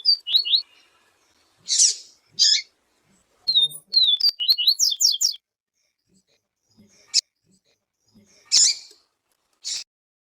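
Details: Yellow-bellied seedeater in the siu siu song style, with a female calling to stimulate the male: high, quick downslurred whistled notes in short clusters, mixed with broad harsh chirps and scattered sharp ticks separated by pauses.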